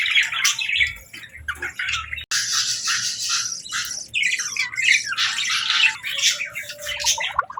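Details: Budgerigars at feeding time, a flock chattering together: dense scratchy squawks and warbling chirps overlap almost without pause, high-pitched and noisy, with a short break after two seconds before the busy chatter resumes.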